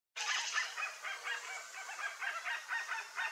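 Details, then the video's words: A flock of rare chestnut-bellied guans (Penelope ochrogaster) in the Pantanal, in a dense, harsh chorus of overlapping honks and cackles pulsing several times a second without pause. "CANTO do bando de JACU-DE-BARRIGA-CASTANHA"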